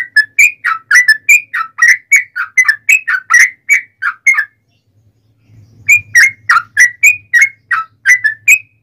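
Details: Fighting song of a yellow-vented bulbul, a lure to draw replies from other bulbuls: rapid liquid gurgling notes in tight succession, a one-second pause with a low hum, then the bubbly phrases resume.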